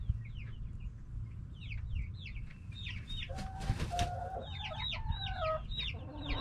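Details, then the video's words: Backyard hens and roosters calling: a dense stream of short, high, downward chirps from many birds, with a brief lower drawn-out call midway and a steady low rumble beneath. "Back yard chickens making noise🐓 Relaxing sounds of hens and roosters"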